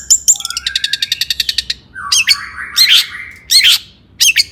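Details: Agitated long-tailed shrike song for stirring other shrikes: a fast even trill of clicking notes over a thin held whistle, followed by loud rasping, buzzy bursts.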